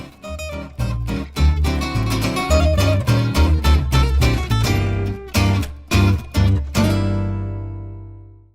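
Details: Strummed acoustic guitar music with no animal sounds, ending on a ringing chord.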